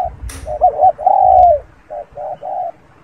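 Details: Spotted dove with soft, rounded coos: a short broken pair and then a long, slightly falling note, followed by several shorter coos. A low rumble sits underneath.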